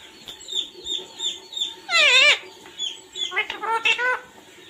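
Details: Parrot chirping, described as a natural call of 'mummy papa'. A series of short, high, bent chirps repeats roughly twice a second. A louder, rich, harmonic squawk sweeps down near the middle, followed by several rapid rising chirps.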